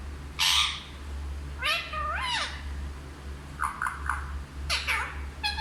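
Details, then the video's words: Hindi-talking parrot voicing a noisy burst, then a sliding, rising harmonic phrase and several short clipped syllables near the end. A low hum sits underneath. "सबसे अच्छा हिंदी बोलने वाला तोता ll Parrot Talking"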